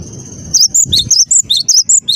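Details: Cinereous tit (gelatik batu) in full song, giving quick, bright, high two-note whistles in a steady string about every quarter second.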